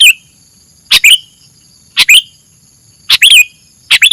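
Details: Song of a sooty-headed bulbul used for bird-luring: five crisp chirpy phrases of two or three sliding notes at irregular spacing, clean and loud over a faint steady electronic whine.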